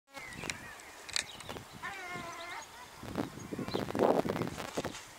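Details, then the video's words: Gulls at feeding time at Bluestone, Pembrokeshire, Wales: a laughing, wavering series of stacked nasal notes near the middle, with shorter sharp yelps, mixed with clattering, rustling and loud broadband noise. "Dinner time for the Seagulls"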